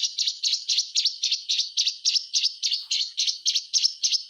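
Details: Caged white-rumped shama song meant to stimulate other shamas to sing: steady, even series of high scratchy chattering notes repeated about three to four times per second, without pauses.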